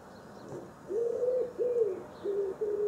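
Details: Common wood pigeon, known in southeast England as the culver, giving soft low hoarse coos around the pitch of a hum, four phrases in under three seconds with slight rising then falling shape, over quiet background hiss.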